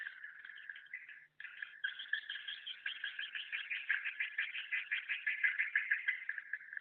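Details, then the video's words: Swiftlets twitter in a dense, continuous stream of fast, buzzy chirps, about three per second, mid-to-high pitched and uneven, with a brief gap near the start. "Internal Suara Tahan Bird Call"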